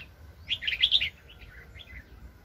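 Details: Red-whiskered bulbul, a very aggressive decoy bird used for trapping, 2020: a single rich, bubbling phrase of quick slurred whistles lasting about half a second, followed by a few soft trailing notes.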